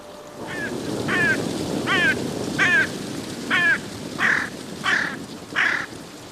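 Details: Yellow-legged gulls, two birds squabbling over a fish, giving loud, harsh, nasal calls repeated roughly every 0.7 seconds. Each note is a slurred, downward-inflected yelp, over a constant rushing background.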